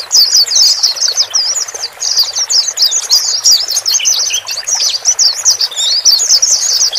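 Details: White-eyes, male and female, sounds meant to calm a newly bought bird in its cage; loud continuous high-pitched twittering, tumbling warbled notes with scarcely a pause over seven seconds.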